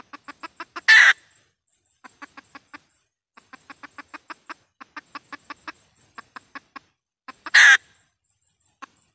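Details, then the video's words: Decoy red junglefowl hen, recorded for luring wild junglefowl into traps in Vietnam. A long run of short, evenly spaced clucks, broken twice by a loud, harsh squawk, then more clucking. "tiếng gà mái mồi kêu"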